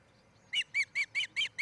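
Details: From a nest camera in Charlo, Montana, on 07-10-2018, where an osprey couple builds a new nest: six evenly spaced, high, slightly downslurred whistled chirps following a short quiet lead-in.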